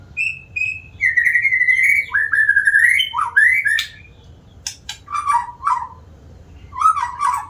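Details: Rich whistled song of a white-rumped shama: level and gently rising notes run together into a long flowing phrase, followed by sharp clicks and short lower whistles.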